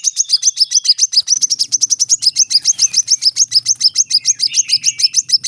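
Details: Rapid 'tembakan rapat' song of a brown-throated sunbird: a steady stream of very high, sharp ticking notes delivered about three or four per second, with faint lower slurred whistles and a low hum underneath.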